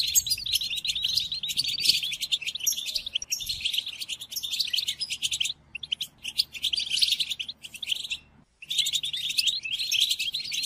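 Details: European goldfinch song offered to caged goldfinches in moult for song training: sustained, rapid twittering and trilling, interrupted by brief silences around the middle and again shortly before the end, then resuming.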